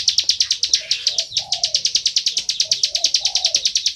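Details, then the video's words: Bar-winged prinia in full, loud song, a quick steady stream of piercing high chirps, roughly three per second, while a dove-like bird coos softly in the background. "Ciblek Sawah Gacor full ngebren"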